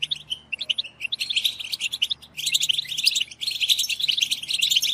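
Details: Several goldfinches chattering together in a lively chorus used to stimulate goldfinches to sing: scattered bright chirps building into continuous high twittering runs, buzzy and jingling, with a short dip before a fresh burst.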